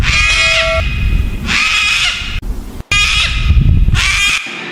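A cockatoo gives harsh, raspy screeches, about four grating bursts in five seconds, over a low rumbling background.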